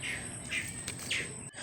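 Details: Newly hatched domestic ducklings, three out of the eggs while the mother duck is outside. Short, high peeps that slide downward in pitch, four in under two seconds, over a steady low hum.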